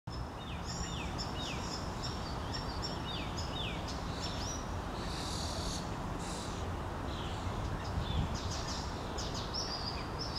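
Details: Common starlings, a parent feeding its fledglings on a lawn in Helsinki, Finland, in June 2013, give repeated short, falling whistled calls, several per second, with bursts of harsh buzzy notes, over a steady low rumble.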